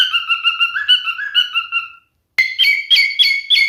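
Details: Male cockatiel sings a smooth whistled phrase, then goes quiet briefly before a higher, choppier set of rapid chirped whistles.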